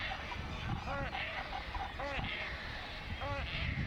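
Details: Painted stork chick at Bharatpur Bird Sanctuary, hungry and begging its mother for food, gives three short arched nasal cries about a second apart against constant low background noise.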